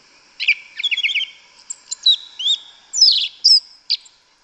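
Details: Forest song of a yellow-legged thrush in Brazil, a rich mix of fast trills, clear whistles and sharp chirped notes delivered in irregular bursts, with a constant high-pitched background hum.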